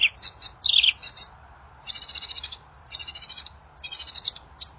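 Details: Wild kincir angin bird, whose song reportedly makes other birds answer: dense high buzzy trill bursts of about a second each, separated by brief pauses.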